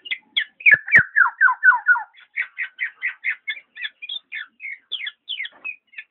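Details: Black-naped oriole giving a fast series of short chirped and slurred notes, several dropping in pitch in quick succession near the start, then steadier bright chips roughly twice a second; a couple of sharp clicks early on.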